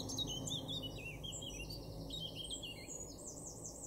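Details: Male Eurasian blackcap, a garden bird in Weener, East Frisia, Germany, April 2024, pouring out rapid high warbling notes that end in a run of clear, fluty, looping whistles, over a low hum.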